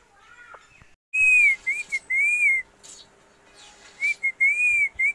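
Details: Pet parrot in Assam whistling indoors: a loud, pure whistled phrase wavering up and down in steady tone, broken by short gaps, then repeated after a pause, with faint background hiss.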